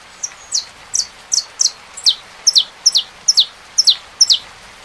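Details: Saffron finch song against a rain sound: a steady string of about thirteen sharp, descending chips with small grace notes, some in close pairs, delivered roughly two to three per second.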